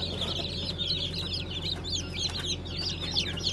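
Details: Brahma chicken, with Modled, Light, Gold and Blue Brahma varieties named, newly hatched on 20 April 2020; a busy chorus of high, short, peeping chirps overlapping continuously over a steady low electrical hum.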